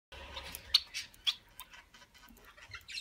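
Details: Several Society finches (Lonchura striata domestica) from a small, peaceful breeding colony give short, high chirps and thin peeps that overlap at an irregular pace, over a soft background hiss; calls.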